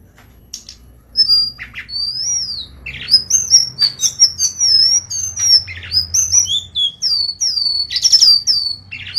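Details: Srikatan or golden-bellied gerygone, kerongkongan style song used to tutor songbirds: after a short pause, a sustained run of high wavering whistles, rising and falling slurs and sharp chips, over a faint low hum.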